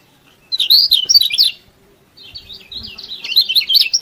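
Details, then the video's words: Vigorously singing yellow-bellied prinia, used as a master recording to make reluctant birds sing: two high, rapid twittering bursts of jumbled chirps and buzzy notes, separated by a short pause. "KECIAL KUNING GACOR BIKIN KECIAL MALAS BUNYI RAJIN BUNYI"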